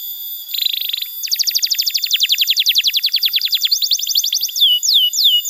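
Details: Canary song used as a tutor and lure for young or silent canaries: a brief buzzy trill, then a fast run of high descending notes, ending in slurred whistled swoops over a faint steady hiss.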